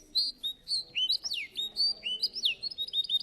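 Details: Russian canary in a singing contest, delivering varied sliding whistles and swooping notes with chattering bits, set against a steady low background hum.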